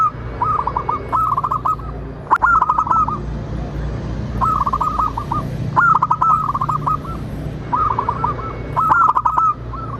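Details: Zebra dove, local strain, with song played to draw other birds into singing and answering: repeated bursts of fast, rolling cooed notes in phrases about two seconds apart, with crisp clicks between and low background noise.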